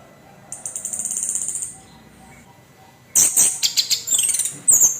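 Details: Orange-headed thrush, a kept bird, giving harsh song meant to provoke other birds: a buzzy, high, rasping stretch of about a second, a quiet pause, then a burst of scratchy, clipped notes.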